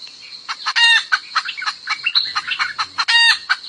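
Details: Highland decoy hen calling to a rooster, giving rapid clucks interspersed with sharp chirps and two loud rasping squawks near the start and end, over a constant high-pitched insect whine.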